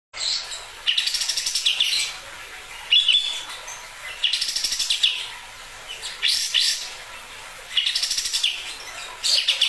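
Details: Sooty-headed bulbul in vigorous full song, recorded as tutor material for training songbirds: bursts of rapid, buzzy, rattling chatter, high and harsh, repeated in phrases roughly every two seconds with short quiet gaps between.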